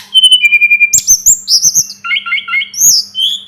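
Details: A Sunda robin tutor recording: a steady held whistle that drops in pitch, then quick runs of repeated sweet notes and high twitters, and finally slurred whistles. A low hum is faintly audible.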